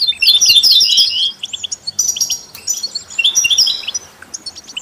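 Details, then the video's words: Melodious European goldfinch song meant as stimulation for other songbirds, heard with canaries and mule hybrids: a dense burst of tinkling, twittering notes, a short pause, then further liquid trilled phrases. "Stieglitz Kanarienvögel und Maultiere stimulieren alle Singvögel"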